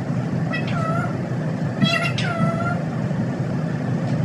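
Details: Talking parrot giving two drawn-out, nasal, wavering utterances about one and a half seconds apart over a constant low hum of background noise.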